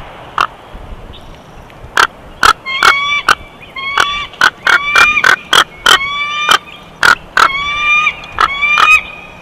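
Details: Bald eagle, Big Bear Valley nest cam, June 2021, giving chortles: spaced sharp clicks that speed into a long series of thin, rising whistles broken by crisp squeaky pulses.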